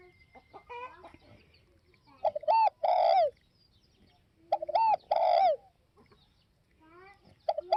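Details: Repeated spotted dove coo. Quick stuttered notes lead into a drawn-out falling coo, given twice about two and a half seconds apart, with soft chirping birds in the background.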